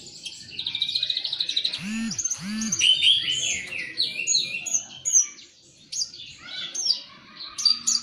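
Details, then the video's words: Young-sounding practice song of a Javan bush lark (branjangan) learning to sing ngeper: a dense, high twittering stream with buzzy trills and sharp upward whistles, two lower arched squeaks near the start, then scattered chirps with short pauses. "Branjangan belajar ngeper"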